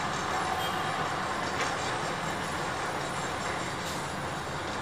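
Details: Continuous rumble and rattle of a moving train, with faint wheel squeals and no animal voices.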